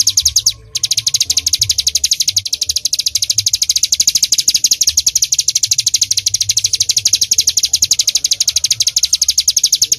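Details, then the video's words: Ciblek gunung, the bar-winged prinia, singing energetically in full tembakan style: a dense, unbroken rattle of piercing high chirps after a short pause at the start, with soft low-pitched background noise. "Ciblek Gunung Full Nembak"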